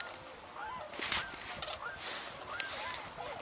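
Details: A flock of tundra swans, including a juvenile, calls at about 28 degrees beside a wildlife drive with geese and ducks: mellow, slightly nasal hooting notes, often rising or bending, overlapping every half second over steady hiss, before some take off.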